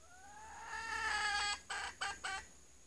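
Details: Female red junglefowl used as a lure, still vocal after a scare: a long rising harmonic note over a second, then three brief clipped clucks in quick sequence; background quiet.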